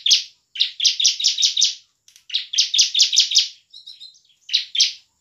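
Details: Vigorous ciblek, or bar-winged prinia, song in ngebren and nembak styles, used as a lure so lazy birds sing and fight: long rattling strings of six or seven rasping, downward-sweeping high notes, a brief thin twitter, then two more.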